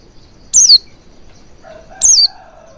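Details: Oriental white-eye lure for prompting full singing: two loud, high, down-slurred chirps about a second and a half apart, followed by a soft, lower, drawn-out tone.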